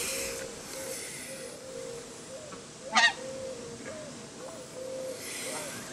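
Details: Emperor goose giving a single sharp, harsh honk midway through, surrounded by a thin, wavering whistled tone and faint background noise.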